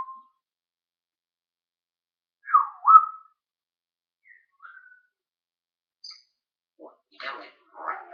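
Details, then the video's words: Talking parrot, filmed 1 June 2013: a down-up whistle, two faint short whistles, then a burst of rough, speech-like chattering notes. "The Talking Parrot"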